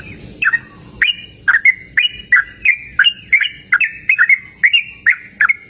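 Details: Trucukan, the yellow-vented bulbul, recorded in open countryside: a lively run of quick, warbling chirps, each a short rising-falling phrase, repeated about three times a second with brief gaps and a faint high background tone.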